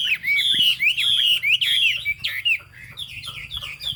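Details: Chinese hwamei singing in the cao cầu style, a bird with a fig-leaf tail and turmeric-yellow bill: loud, rich whistled phrases that slur up and down, repeated in quick bouts, with faint low background hum.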